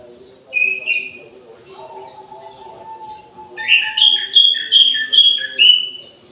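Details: Orange-headed thrush singing at midday in an aviary. A short high whistle is followed by a long lower whistled note, then a rapid string of bright, slurred phrases repeated about every half second, over a faint low hum.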